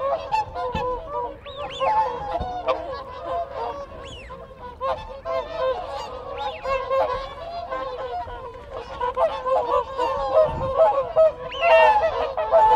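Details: Whooper swans in a group exchanging contact calls close by, a continuous babble of bugling, nasal honks overlapping irregularly, with rising-and-falling whistles and distant goose calls from wigeon and Canada geese behind.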